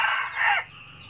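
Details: Closing part of a red junglefowl's 'cà lắm' crow, a strained, rough note that slides downward and stops abruptly, followed by faint high chirping.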